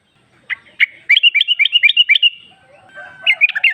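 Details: Female yellow-vented bulbul calling a male, meant as a lure: two separate chirps lead into a fast, even run of about ten bright notes, followed by a short closing burst.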